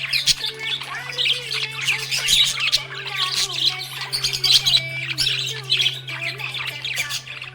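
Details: Happy budgerigar keeps up a busy, chattering warble of harsh squawks, clicks and bright chirps in rapid bursts, over a constant low hum.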